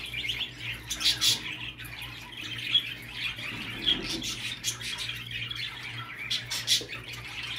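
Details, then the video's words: Budgerigar chatter for stimulating a male to breed: grating squawks and warbles in uneven bursts, with sharp squeaky whistles at intervals and a steady low hum behind. "صوت تحفيز ذكر البادجي للتزاوج"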